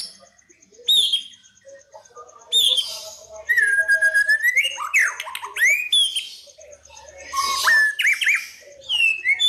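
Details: White-rumped shama lure song of fighter type to provoke rivals: sharp high notes, then a long level whistle followed by fast, crackling and whistled phrases with short pauses.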